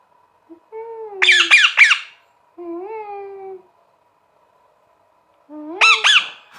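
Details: Pet green parrot, a talking bird, calling from indoors: gliding whistled notes followed by bursts of harsh, stacked squawks, a pause, then another squawk burst; a faint steady hum runs underneath.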